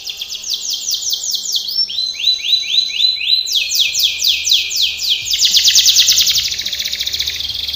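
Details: Canary performing a training song, chains of high curved notes repeated rapidly and stepping between pitches, ending in a loud, harsh buzzy roll.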